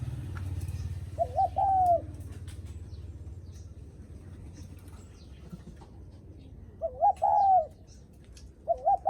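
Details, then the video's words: Low, hollow coo phrases from a spotted dove greeting visitors, a short double note then a longer sliding coo, heard twice with the start of a third. A low engine-like rumble fills the opening seconds. "Tiếng Chim Cu gáy khách có khách đến nhà là gù cực chất cu gáy chào khách"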